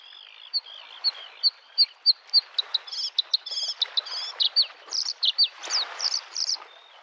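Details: Bluethroat singing in spring beside a lake: a run of sharp, high, ringing notes repeated in a steady series, building into fast varied buzzy and chattering phrases, with soft wave noise underneath.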